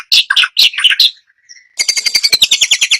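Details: White-rumped shama, a caged songbird, giving loud varied phrases: a burst of sharp chirps and warbles, a brief thin whistle, then a fast run of evenly repeated bright buzzy notes.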